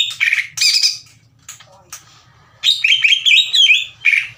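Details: Greater green leafbird in loud, rough challenging song toward another leafbird: harsh high squawky bursts, a pause with a few faint notes, then a long run of fluty, warbling whistles and chatter.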